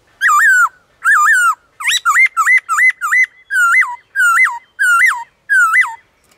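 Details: Long, rhythmic bout of wild black-throated laughingthrush song: strong whistled notes that rise, then fall, repeated about once every half second, with a quick cluster of short notes in the middle.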